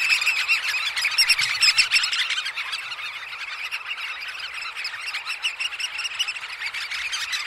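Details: Oystercatchers at roost in the early morning at Snettisham, recorded close up: a dense, continuous chorus of shrill, overlapping piping calls from many birds, louder in the first two seconds, then a steady busy chatter throughout.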